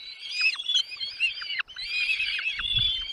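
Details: Young birds in the nest cry for food as the parents arrive. A continuous high, trembling squeal breaks once near the midpoint, then resumes, with short dropping notes and faint low thumps late on.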